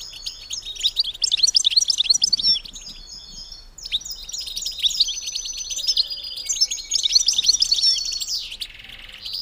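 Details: Twittering of a female European goldfinch, used to encourage males to breed; dense, rapid, high-pitched tinkling notes in bursts, with a brief pause near four seconds before the lively chatter resumes.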